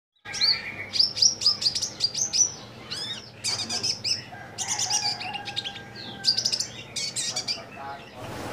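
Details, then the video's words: Caged kolibri ninja (sunbird) kept by a hobbyist under simple care, singing in a rapid, high twittering run of thin sharp chirps and short trills, in bursts with brief pauses and some quieter lower notes between them. "KOLIBRI NINJA GACOR"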